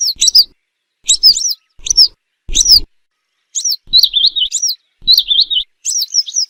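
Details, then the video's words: Western yellow wagtail calls used as a hunting lure: sharp, high, down-slurred notes in quick pairs and triplets, some run into short wavering trills. Bursts repeat about every second, with faint low thumps. "صوت إم صفيد للصيد، صفيدي، الزرعة الصفراء- نقي جداً Western Yellow Wagtail - Motacilla Flava"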